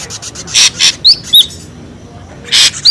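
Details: Ashy drongo noisy lure sound with two harsh rasping bursts, a few quick high whistled slurs, a quiet gap, then another rasp.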